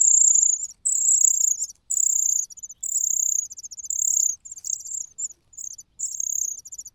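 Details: Loud, hungry begging from a cuckoo chick next to fed host chicks, with a rhythmic series of shrill, buzzy screams about a second long, separated by short pauses.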